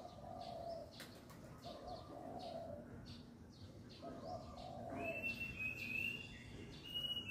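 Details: Dove calling at the start of a new day of the year: muffled low coos repeated through the clip, while a clear higher whistled bird call enters near the end.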